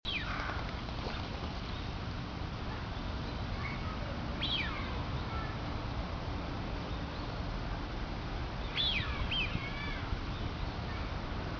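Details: Duck calling amid steady broadband hiss: thin, high whistled notes that slide steeply downward, one near the start, another around four seconds, then a close pair of falling whistles near nine seconds.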